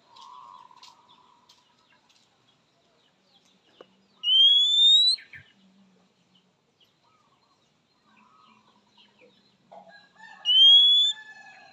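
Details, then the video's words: {'caption': 'Oriental magpie-robin calling to a rival, which males and females answer quickly: two clear, rising whistles about six seconds apart, over soft background chirps and faint buzzy notes.'} "Suara Khas Kacer memanggil Lawan"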